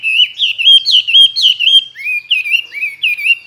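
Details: Tame Chinese hwamei kept in a cage two years, a good contest singer mimicking many wild voices. Rich warbled whistles in short looping phrases, each note bending up and down, repeated about twice a second.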